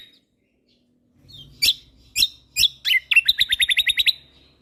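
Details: Kecial kombok white-eye from Lombok, a recording for training songbirds: three sharp, spaced bursts, then an accelerating string of about ten rapid high chips ending in a thin trailing note.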